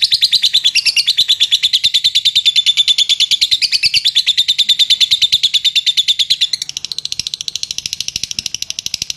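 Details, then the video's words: Ngetik chatter of a lovebird for drawing out long ngekek singing: very regular fast high ticking, about three per second, becoming quieter and thinner toward the end. "Suara Burung Lovebird Ngetik memancing untuk ngekek panjang"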